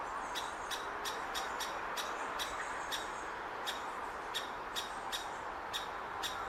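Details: A great spotted woodpecker chick waits in its nest hole for its parents to bring food, in June 2019 at Hokkaido University Botanical Garden; it gives short, sharp, high calls, two or three a second, over a steady traffic-like roar.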